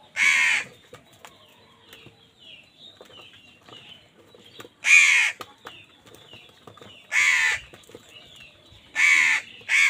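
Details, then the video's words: Crows fighting with wild birds over food; loud harsh caws come singly and in pairs at irregular intervals, about four bursts in ten seconds, over faint background chatter. "Crows fight with wild birds for food | Crow bird unity anger and sound"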